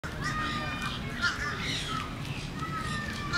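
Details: Wild monk parakeets (Myiopsitta monachus) at St. Pete Pier chatter as a flock, with overlapping harsh squawks and squeaky notes over a steady rumble and faint human voices.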